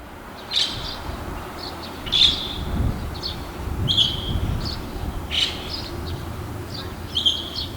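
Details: Male red-billed starling calling loudly in early morning from an apartment wall beside a river, Hiroshima, Japan, 9 May 2020, near a white-cheeked starling colony: high, sharp squeaky notes about every one and a half seconds over steady traffic rumble.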